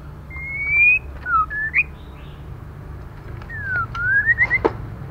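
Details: Whistling from a female white-rumped shama, meant to stimulate male birds. A long slightly rising whistle leads into short broken notes, then a falling whistle turns upward into a rapid run of rising notes, with low hum throughout.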